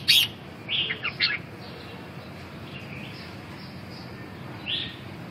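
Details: Red-whiskered bulbul calling with a burst of sharp high chirps followed by a few warbled notes, then quiet before one last brief note near the end; low hum in the background.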